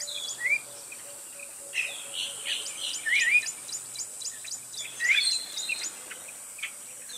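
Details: Spot-breasted oriole singing short whistled, slurred phrases at about half a second, three seconds and five seconds, set against a steady high insect drone, repeated ticking and other faint birdsong.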